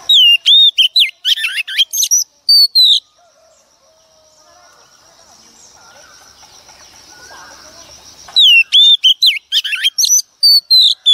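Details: Female Oriental magpie-robin, a wild-caught hen, singing to stimulate males. Loud, clear whistled phrases with rising and falling slurs come in quick bursts, first for about three seconds, then after a quiet stretch of faint background hiss.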